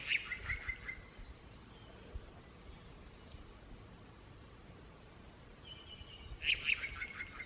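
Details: A Unicolored Jay in Guatemala, communicating with other members of its flock, gives two short bursts of sharp, ringing notes with a thin level whistle, about five quiet seconds apart, over faint background hiss.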